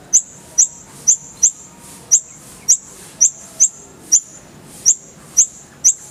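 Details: Single piercing high chips from a Van Hasselt's sunbird repeated about twice a second at an uneven pace, each note sharp and clean against quiet background hiss, taken from a clear full-fill tutor song.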